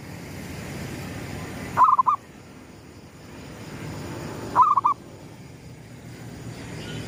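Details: Local zebra dove, gedong mengo type, giving its lure cooing as the sun rises: two short bursts of quick stuttering mid-pitched coos about three seconds apart, with soft background hiss between phrases.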